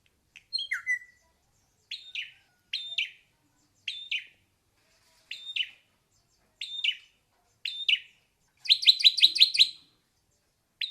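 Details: An ashy drongo gives a whistled downslur, then a string of short bright two-part notes spaced roughly a second apart, ending in a quick rattling run of repeated harsh notes.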